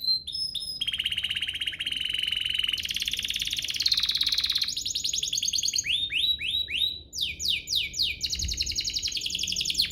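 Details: Canary song played to spur other canaries to sing: long buzzy, grating rolls held for seconds, then rising swept notes and bursts of fast trilled syllables, with faint background hiss.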